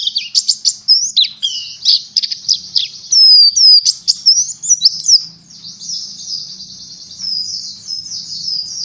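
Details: Pleci singing a ngalas learning and trigger song: energetic high chirps and whistled slurs at first, settling into a continuous thin, buzzy high warble that runs to the end.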